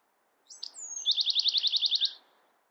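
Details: Song of a Bewick's wren: brief introductory chips and a falling high whistle lead into a quick steady trill of around ten bright, buzzy repeated notes, clean and close.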